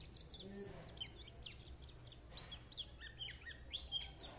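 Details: Lively white-eye twitter: short high chirps and little downslurred notes in quick, uneven succession, growing busier in the second half, over low background noise.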